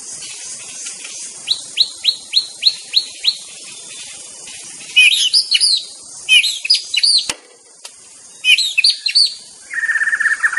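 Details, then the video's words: White-rumped shama in the wild: a series of repeated upslurred whistles, then richer phrases of rising whistles and chattering notes, ending with a buzzy steady trill, over a constant high insect hiss. "TERAPI BURUNG MURAI DI ALAM LIAR"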